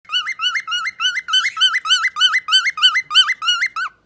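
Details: Pet parrot singing: a fast, evenly repeated whistled phrase, each note stepping upward in pitch, about a dozen repeats in four seconds against a silent background.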